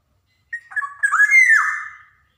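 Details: Javan golden oriole, a black-naped oriole, singing briskly as a model for young birds: a clean short note, then a rolling, liquid whistled phrase with a slightly rasping overtone, sliding down at the end.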